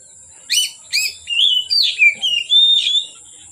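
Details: Oriental magpie-robin singing from afternoon into dark: a string of loud whistled phrases, short rising and falling notes then longer sliding whistles, with a steady high hiss in the background.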